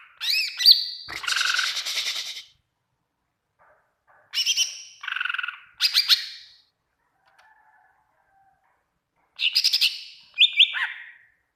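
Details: Greater green leafbird song played to train other birds: loud, harsh, buzzy phrases mixed with sweeping whistles, delivered in separate bursts with quiet gaps between them.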